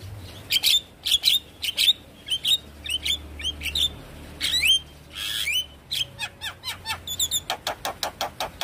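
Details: Javan myna song used as a lure to get a silent bird singing and nodding: harsh squawks alternating with bright rising whistles and clicks, delivered in quick bursts, ending in a fast series of sharp notes.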